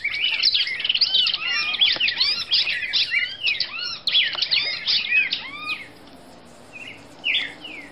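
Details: Female red-crested cardinal of Brazil singing a long, busy stream of high chirps and swooping whistles that stops after about six seconds, followed by a few soft, separate notes.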